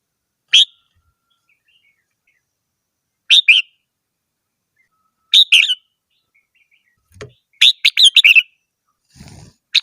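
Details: Red-whiskered bulbul singing short chirpy phrases every two seconds, building to a longer rapid run of warbled notes, with faint low knocks in the background.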